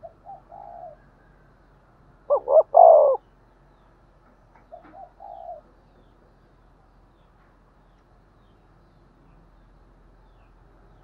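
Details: Spotted dove, thúc gù cooing used to stimulate other doves: one loud phrase of two short notes and a falling coo, framed by quiet, soft coo fragments before and after, then silence.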